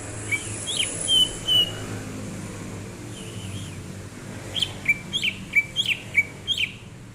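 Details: Greater green leafbird recorded in January 2022 while relaxing. It sings clear, short whistled notes, first scattered and then in a quick run of about eight slurred phrases in the second half, over a quiet background hum.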